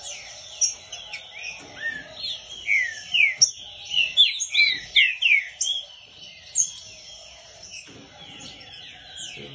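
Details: A Green-winged Saltator sings a rich run of slurred, whistled notes during training, rising and falling quickly, with a few other chirps nearby and background music.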